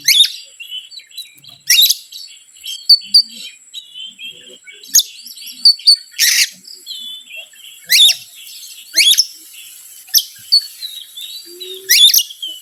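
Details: An Oriental magpie-robin's lure song for provoking other birds: repeated whistled notes and short warbles, interrupted roughly every second or two by loud sharp snapping calls.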